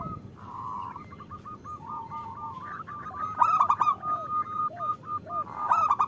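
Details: Female zebra dove calling to the male, a recording meant to spur idle caged males to sing: a drawn-out string of fast, evenly spaced beaded notes, then louder trilled bursts and a few drooping slurs.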